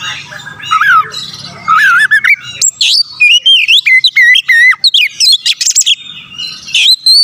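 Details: Vigorous Oriental magpie-robin song meant to stir up rival birds: wavering warbled whistles give way to a fast series of clear, sliding whistled notes, each repeated several times in a row, punctuated by sharp high chips over faint background hum.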